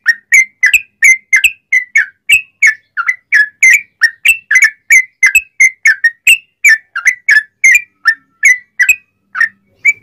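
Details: Bulbul song meant to tutor other sooty-headed bulbuls and get them to join in; a long even series of bright whistled notes, nearly three per second, rising and falling in a bubbly ropelan-style pattern over a quiet background.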